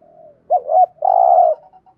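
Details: Spotted dove kept as a lure for wild birds, cooing: a faint trailing note, then two quick looped notes and one long, steady, slightly buzzy coo, clean and close.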